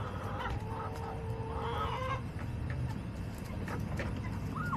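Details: Backyard chickens on an urban homestead: hens give drawn-out, nasal rising calls followed by scattered short clucks, over a steady low background hum.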